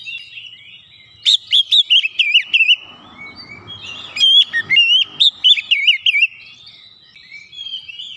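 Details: Oriental magpie-robin provoked by a lure recording, singing hard: two bursts of rapid, warbling whistled notes, each burst six or seven notes, separated by a brief rustling pause.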